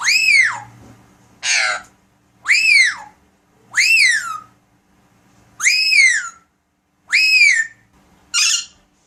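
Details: Pet Alexandrine parakeet calling indoors with loud arched squawks, seven in about nine seconds, most rising then falling steeply, a couple harsher and noisier.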